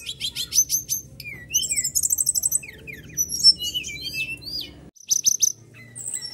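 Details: Energetic magpie-robin song for prompting caged birds, full of rough mimicked phrases: rapid repeated buzzy trills, steep slurred whistles and chatter, a brief drop-out near five seconds, low hum behind.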